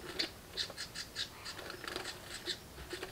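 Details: House wren brood begging for food in a nest box: quieter, evenly spaced, raspy chirping pulses, roughly two or three each second, continuing throughout.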